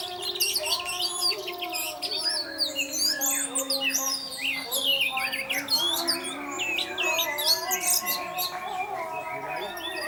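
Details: Lure recording of an orange-headed thrush singing 'teler' to provoke other thrushes into song: dense, nonstop stream of sharp high chips, buzzy trills and swooping whistles, with a constant low humming tone beneath.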